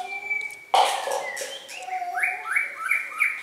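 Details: Red-whiskered bulbul, a thin steady whistle giving way to a loud harsh burst, then a run of rising, repeated whistled notes climbing in pitch toward the end.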